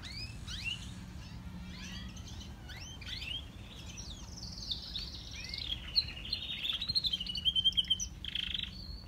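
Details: Song of a grey canary and a crested canary: scattered, quick rising chirps at first, then a long, sustained, warbling high trill. A low background hum is heard throughout.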